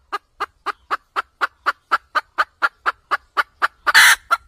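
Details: Red junglefowl hen giving a trapping-lure cackle: sixteen rhythmic short clucks, close to four a second, building to a loud harsh squawk and one trailing cluck.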